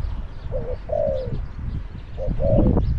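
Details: Spotted dove decoy in a cage calling wild doves at Song Phi Nong: two mellow coo phrases, each a short note then a drawn-out falling note, ending in a burst of rustling.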